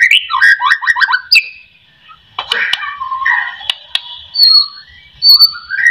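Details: White-rumped shama song intended to stimulate other shamas to sing: a rapid series of falling whistled notes, followed by buzzy phrases, scattered clicks and a rising whistle.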